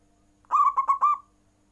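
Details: Caged zebra dove in full song meant to spur rival birds: one quick phrase of four clipped coo notes, the last held a little longer and trailing off, on a steady mid pitch.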